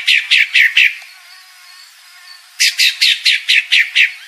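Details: Calling female pale-breasted thrush giving two bursts of rasping, downslurred notes, four rapid ones, then after a pause of over a second a longer series of seven, evenly spaced about four per second, over a faint steady hiss.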